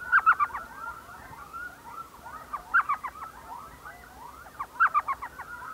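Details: Evening in the Salt River area near Mesa, Arizona: an elf owl at a saguaro cactus nest hole gives three bursts of quick, high yelping notes, each a tight chattering run, spaced about two seconds apart.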